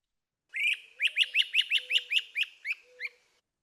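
Great Crested Flycatcher: one loud rising whistle, then a quick run of about ten short upslurred notes, roughly five per second. A faint low hum underneath.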